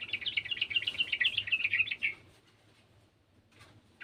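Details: Sooty-headed bulbul singing with another bulbul: a dense two-second string of rapid, bubbly warbling notes, followed by near silence and one faint note at the end.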